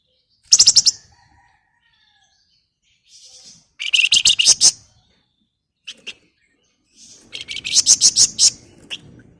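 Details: Female flamboyan calling to a male with repeated fast, buzzy, rattling bursts of chattering notes, separated by pauses of a few seconds.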